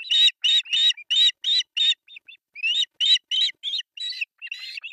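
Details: Osprey chicks, three in number, begging as breakfast is fed on an artificial nest in Pohjois Satakunta, Finland, July 1, 2024, nest camera. A rapid burst of high chirps, small soft notes, then louder, more varied, squeakier calls.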